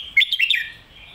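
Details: Red-whiskered bulbul giving one short phrase of its popular 'phat kuay tiew' or 'mae bot' master-song style: three or four loud, rapid, rising and falling whistled notes that fade quickly into quiet.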